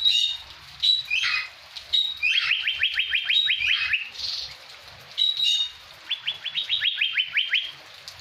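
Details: Blue-winged leafbird imitating a greater green leafbird: clear whistled notes near one pitch, then a rapid run of about ten sharply descending whistled sweeps. The phrase comes twice, with soft background hiss.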